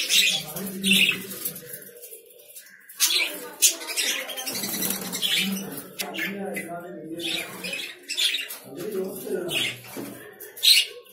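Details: Lovebirds chirping in harsh, scratchy bursts while low human voices murmur underneath in several stretches.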